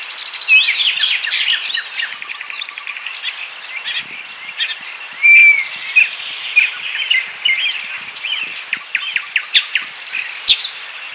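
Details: Common starling song from Bryansk, Russia: dense, busy jumble of rapid clicks, rattles, squeaks and pure whistles layered together, with a loud short whistle halfway and sharp clicking toward the end.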